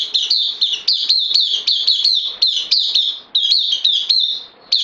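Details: Caged newcomer bulbul on loan, 12 September 2020, delivering a lively unbroken string of piercing upward-flicking chirps roughly four to five per second, ending with a short lull.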